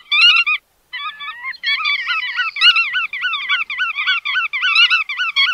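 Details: Nearly continuous chatter of bar-tailed godwits, rippling nasal notes that swing in pitch, overlapping voices after a short opening burst and a brief gap.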